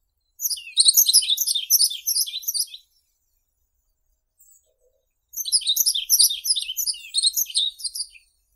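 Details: Yellow-throated bunting singing two similar high twittering phrases, each around two and a half seconds of quick chirped notes, separated by a pause of about two and a half seconds; quiet background.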